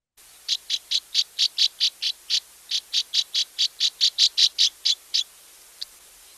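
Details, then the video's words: Northern Rough-winged Swallow giving soft, slightly rising liquid chirps in a steady run of about twenty short, evenly spaced notes, roughly two or three per second, then a pause and one last faint chirp; otherwise quiet. "Northern rough-winged swallow, by contrast, gives a soft, slightly rising liquid chirp."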